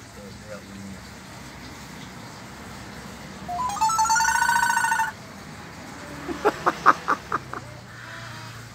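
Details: A pet Nias hill myna at a friend's place late at night imitates R2-D2 from Star Wars: a burst of buzzy, electronic-sounding warbles, then six sharp whistled notes about a third of a second apart.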